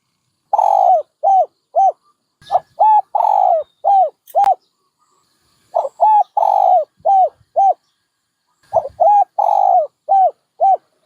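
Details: Dove cooing in three phrases separated by pauses; each phrase is a run of short hollow coos around one longer, drawn-out coo, falling slightly at the end of each note.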